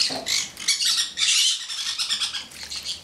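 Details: Male pineapple conure kept as a pet, sitting on a person's head and laughing while a second bird bathes; dense, loud, rasping harmonic bursts running almost continuously with short breaks.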